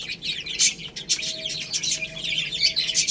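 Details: Many chicks playing and pecking at rice: bright, rapid chirps overlap, with loud bursts near the start and again after one second, plus a faint steady tone.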